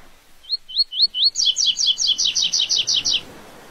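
Rusty-collared Seedeater singing: four clear upslurred whistles, then a fast run of about a dozen doubled, buzzy notes, high and bright, in three seconds.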